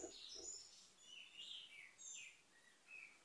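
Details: Orange-headed thrush (Geokichla citrina) singing, used as a tutor song to prompt quiet birds to sing: varied, slurred, high, rich whistled phrases in quick succession with short pauses, over a soft background hiss.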